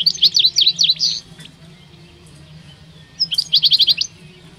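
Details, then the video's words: Two male European goldfinches at the Rumbeke bird fair, 16 October 2021, giving two bursts of rapid, high, twittering notes, each lasting about a second, separated by a two-second pause over a faint low hum. "chardonnerets élégants"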